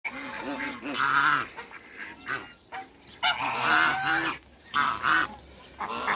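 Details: A pair of African geese kept in a backyard among other waterbirds give loud, harsh, drawn-out honks, two long rich calls standing out with shorter honks and grunts between them.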